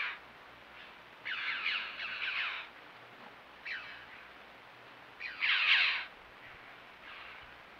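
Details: Red-billed choughs captured by a camera trap in limestone canyons, giving strident, harsh, squawking calls in short bursts, two drawn-out raspy notes close together, then further scattered harsh calls.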